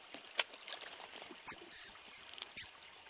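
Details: Common kingfisher, tagged Tadoba National Park, giving five shrill, piercing high whistles, short and sharp, spaced about every third of a second, over faint splashing and rustling.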